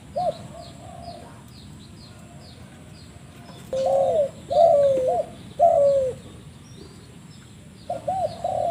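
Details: Spotted dove giving an unusual call: short bursts of hollow, mid-pitched coos, each a rolling double or triple phrase, separated by pauses of one to two seconds. Faint high chirps of another bird are heard in the first seconds.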